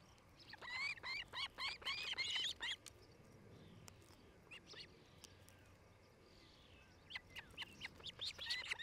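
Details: Osprey at a camera-watched nest in Charlo, Montana, July 2018: an even series of high whistled chips fading out, a quiet gap with soft background hiss, then another burst of rapid chirps.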